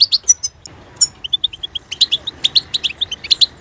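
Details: European goldfinch song opening with sharp high chirps, then a short run of softer lower-pitched notes before rising into a fast series of tinkling, evenly spaced high twitters.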